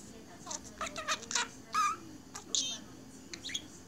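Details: Pet budgerigar absorbed in its own world, chattering alone: scattered short buzzy notes, clicks and brief whistled squeaks in irregular bursts, with a faint steady background hum.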